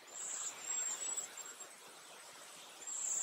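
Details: Cedar Waxwings in a group at Léon Provancher marsh: soft song of very high, thin, drawn-out hissing whistles, nearly continuous with short breaks, over a quiet background hiss.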